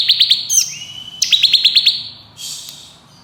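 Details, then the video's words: Short burst of ngebren song from a bar-winged prinia: a quick run of three ticks, a whistled slide, then a trill of about six sharp notes and a fading hiss. "Ciblek Kristal Ngebren Nembak Variasi Speed Rapat"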